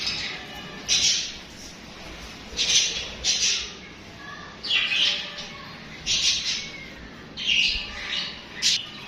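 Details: Budgies chirping and chattering: short bright scratchy chirps in bursts every second or so over a steady low background hum.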